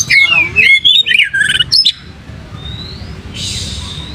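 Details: Oriental magpie-robin with tail spread, giving a short burst of loud, tumbling whistled notes for about two seconds, then near-silence broken by one faint thin rising whistle and a brief hiss.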